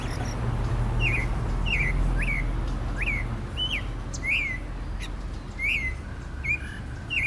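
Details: Yigüirro, or clay-colored thrush, Costa Rica's national bird: a run of brief clear whistled notes, each sliding up then down, roughly three or four a second, with a low background rumble and some faint distant chirping.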